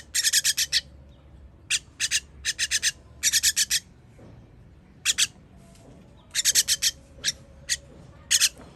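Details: Young birds calling while being fed on 21.06.23, giving loud raspy chirrs in clustered bursts separated by short pauses, with steady low-pitched background noise.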